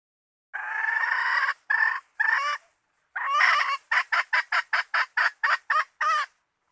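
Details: Hen calling, recorded for use as bait. Three long, rough, harmonic notes separated by short gaps, a pause, another long note, then a quick string of short, sharp clucks ending in a longer note. Clean background.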